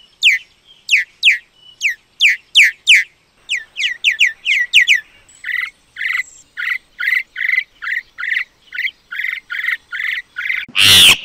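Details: Common myna giving sharp downslurred whistles repeated about twice a second, then a steady series of short chirps, closing with a loud harsh burst.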